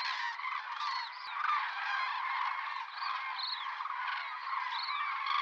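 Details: Large flock of Common cranes (Grus grus) wintering in the Iberian Peninsula, arrived October–November from central and northern Europe, giving a dense, steady chorus of rolling, trumpeting bugles, many voices overlapping continuously.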